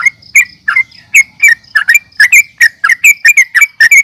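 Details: Sooty-headed bulbul fighting call: short, bright, chirping notes with quick downward slurs, delivered about three per second in an even run.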